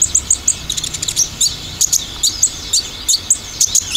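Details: Olive-backed sunbird song for use as a lure, dominated by the rapid 'tembakan' style: very high, sharp chirps and short downslurred notes in quick bursts, with brief pauses between bursts.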